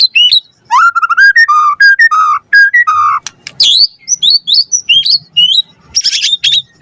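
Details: A lively white-rumped shama sings a lure song packed with varied fill-in phrases to make other shamas answer; a run of clear, steady whistled notes at mid pitch, then quick high slurred whistles and sharp buzzy bursts.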